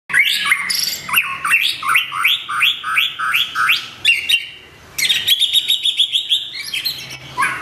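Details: Long-tailed white-rumped shama in full song: rapid series of rich whistled phrases, each rising then dropping, repeated about twice a second, followed by bright chattering notes after a short pause.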